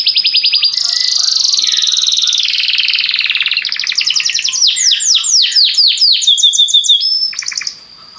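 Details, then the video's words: Belgian canary singing continuously, meant to make other canaries sing: pulsed trills flow into a long buzzy roll, then rapid downward-swept notes and brief whistled phrases before fading. "O canto do canário belga faz com que seu canário cante sem parar"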